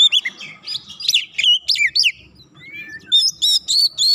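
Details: Provoked white-rumped shama pouring out a varied song against a rival: loud slurred whistles and quick twittering notes in close bursts, a short quieter gap midway, then ringing whistled phrases resume.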